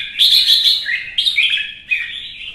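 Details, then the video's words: Red-whiskered bulbul singing competitively in captivity, three loud rich warbled phrases sliding between high and mid pitch, each separated by a brief gap. "CHÀO MÀO | Kè kích chim hót đấu kích ché căng lửa"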